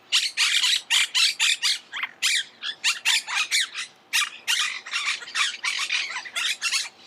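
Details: Monk parakeets (Myiopsitta monachus) give a continuous stream of harsh, grating squawks, about four per second, overlapping as if from several birds chattering together.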